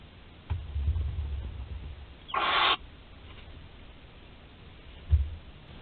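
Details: Barn owl chick at 13 days old, webcam nest in Théding, France, 20 July 2020, swallowing prey whole; one coarse hiss midway, framed by low shuffling knocks.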